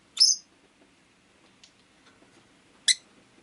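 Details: Two loud, piercing, high chirps from a pet rosy-faced lovebird about two and a half seconds apart, each short and shrill, with a few tiny ticks between and an otherwise quiet background.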